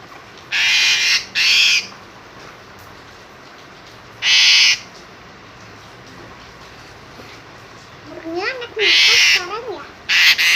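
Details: Harsh screeching bursts from an Asian pied starling, paired at first, then single, ending with wavering squeaky whistled notes followed by two more rasping screams.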